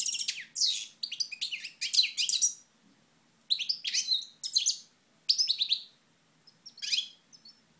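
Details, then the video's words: Moknine goldfinch, 2012, delivering several short bursts of high, jangling twitter separated by brief pauses, each phrase a rapid mix of trills and buzzy notes. "Chardonneret Moknine 2012"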